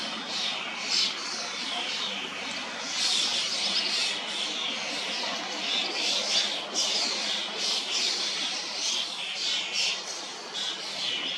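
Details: Young common starlings begging as adults feed them in a tall old sweet cherry tree among hundreds of birds in Hrodna city, western Belarus, 2 June 2025, after fledging from nestboxes; harsh, hissing rasps in overlapping bursts about every second.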